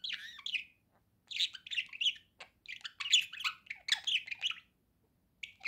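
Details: Pet budgerigar singing: quick bursts of chirpy, squeaky warbling chatter broken by short silent pauses, with a final brief phrase after a longer gap.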